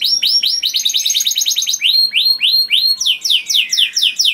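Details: Canary singing loud and melodious, used to lure other canaries: rapid trills of repeated high notes, then slower repeated downslurred whistles, then quick rising-falling phrases.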